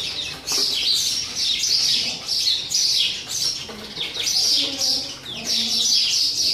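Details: Sparrows quarrelling over a fresh nest box make a steady stream of shrill, slurred chirps in short clusters, with brief pauses between groups.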